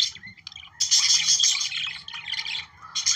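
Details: Budgerigars chattering, played to stimulate breeding: dense warbling, scratchy chatter with squeaky high notes in a continuous mass, pausing briefly near the end.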